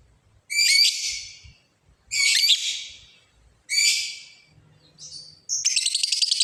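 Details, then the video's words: Lovebird uttering loud, rasping screeches about every one and a half seconds, then a thin high note leading into the start of a rapid buzzy chatter; faint low hum beneath. "suara Burung lovebird ngekek panjang manggil lawan"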